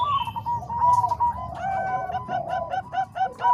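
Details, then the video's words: Zebra dove song, combined voices of Bangkok and Cemani Kolbuntet perkutut strains: mellow, rapid cooing notes in overlapping series, with several voices layered and the coos repeating in a quick, bubbling rhythm throughout. "Suara Kombinasi Perkutut Bangkok Dan Cemani Kolbuntet"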